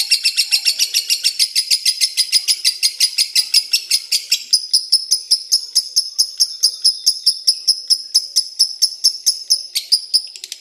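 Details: Lovebird chatter starting as fast, harsh chirps, then slowing into clean repeated high clicks spaced evenly, roughly four per second.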